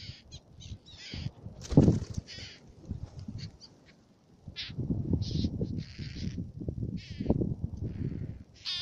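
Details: Black-naped terns on Fares, Baa Atoll, Maldives: short harsh rasping calls in scattered bursts, some overlapping, over steady low wind rumble.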